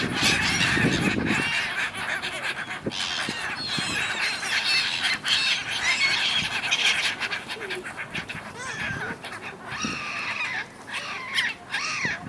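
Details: Flock of gulls arguing over something on the Dnipro in Kyiv, Ukraine, in January: a busy jumble of harsh cries, with a low rumble at the start and arched wailing calls standing out near the end.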